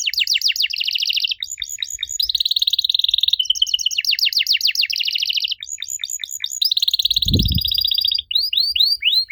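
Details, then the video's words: Canary singing used to get young canaries to respond, an unbroken stream of fast trills, buzzy rattles and swept notes, with one brief low thump near the end. "Kenari Muda pasti nyaut kalo denger suara aneh kenari ini."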